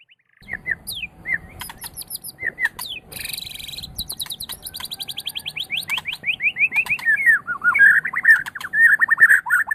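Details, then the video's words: Training recording of white-rumped shama song for other songbirds: scattered whistles, a buzzy harsh passage, then a long descending cascade of repeated notes that builds into loud, rapid phrases. "SUARA MASTERAN - Ocehan Burung Murai Batu"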